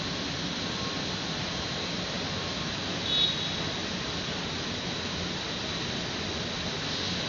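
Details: Steady, loud broadband hum like traffic or an engine, with no animal voice.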